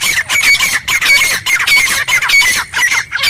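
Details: Loud wild grey francolin, known locally as teetar, heard in jungle: a steady stream of grating, screechy notes with thin whistled tops, repeating about every half second without pause.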